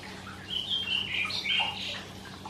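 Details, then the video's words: Karoo thrush singing in summer at first light, before the sun is up; a fluid phrase of rich, varied whistles and warbles, rising and falling, then a softer trailing note, over a low steady hum. "Karoo Thrush song"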